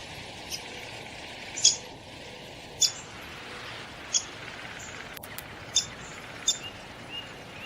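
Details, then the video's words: Downy woodpecker calling: short, sharp, high single notes, about six in under eight seconds at uneven gaps of roughly one second, over a faint steady background hiss. "SOUND OF A DOWNY WOODPECKER"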